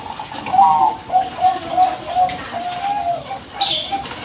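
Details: Bangkok-type zebra dove calling steadily as a lure recording meant to provoke other doves into answering; a run of short, clear, slightly wavering cooing notes at mid pitch, then a brief high chirp near the end.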